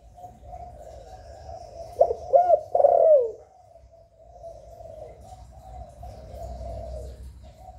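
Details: Spotted dove in the 'hạp bổi' voice, recorded directly with no noise, played to prompt captive doves to call. A loud cluster of three or four bending coos is followed by a long stretch of soft, even, low cooing.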